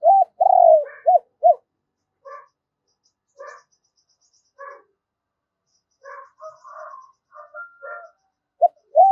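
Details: Decoy spotted dove in the double-voiced giọng đôi style: a long, rolling coo and two short, arched notes, then a run of soft, scattered chirps from other birds, and another coo at the end.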